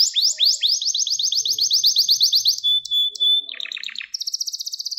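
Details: Gloster canary training song to stimulate males: quick repeated rising notes forming a fast trill, a sustained clear whistle, then a burst of falling notes and a high buzzing trill.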